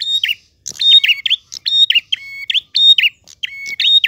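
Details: A prinia sings in a clear voice, with loud bursts of high whistled and twangy notes and short sweeping chirps and steady tones, repeated in quick phrases about once a second.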